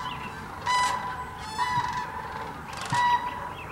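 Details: Among thousands of migrating sandhill cranes at Tennessee's Hiwassee Wildlife Refuge in Birchwood on a 17-degree day, three loud rattling trumpet calls ring out at roughly one-second intervals above a murmuring background flock.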